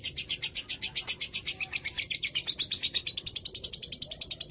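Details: Lovebird kept by an owner in Rembang, Indonesia, delivering an extended ngekek, its song grown much longer since the pandemic break. Dense, scratchy high chattering pulses roll on steadily, roughly seven per second, without pause over a soft low rumble.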